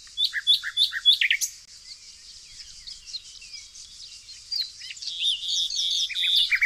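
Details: Nightingale song from the evergreen forests of Tonekabon, Mazandaran, Iran. A rapid series of crisp, descending notes opens the section, then a pause, then a second busy, chattering phrase over a continuous high background hiss.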